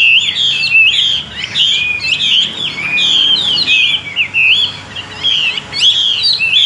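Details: Tame caged Chinese hwamei from Vietnam, kept for display and fighting, sings a loud, continuous run of rich, varied whistled phrases with quick slurred notes and trills, barely pausing across the whole stretch; no other clear sounds.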